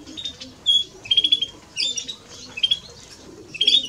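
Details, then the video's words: European greenfinch male and female giving short clear whistled notes and quick twittering bursts, spaced by brief quiet gaps, sounding thin, high and bright. "Male and Female of Greenfinch - Cantec de Florinte"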